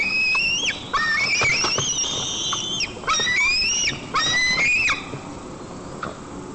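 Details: White-tailed eagle chick in a nest in Nizhnyaya Kama National Park, Tatarstan, 15 July 2024, squealing while mantling a fish brought by the parent: high thin rising-and-falling whistles, several overlapping in quick bursts, faint outdoor background.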